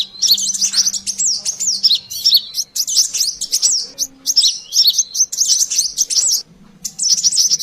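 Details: Brown-throated sunbird used as a lure sound, calling excitedly: bursts of high, wiry twitters and quick chip notes run almost nonstop, with one short pause near the end and a faint hum beneath.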